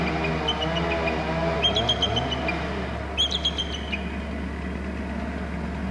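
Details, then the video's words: Eagle at its Hornby Island nest territory, returned to its perch from the glass house, trilling two bursts of rapid, thin, high chirped notes against constant low rumbling background noise. "eagle on glass house off down, returns and trills"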